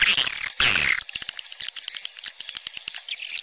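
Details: Swiftlets give a short harmonic squeal at the start, then sparse dry clicks spaced irregularly under a thin, continuous high twittering.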